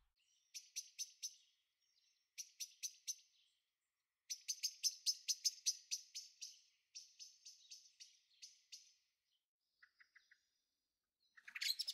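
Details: Young common blackbirds in a garden on the Veluwe, Netherlands, on 30 April 2014 give bursts of high, thin, rapidly repeated notes, four to ten at a time, with short pauses between runs.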